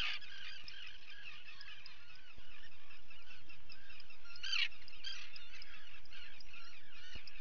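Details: Common guillemots crowded at a colony where chicks are fed, June 2020: dense, raucous, buzzy adult calling, rising to a loud harsh burst midway, with thin chick notes mixed in.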